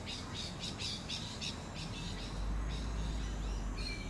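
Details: A juvenile pale-headed rosella gives a quick run of harsh, chattering squawks, then a thin, higher whistled note, over a steady low rumble; Sunshine Coast, Queensland, May 2022.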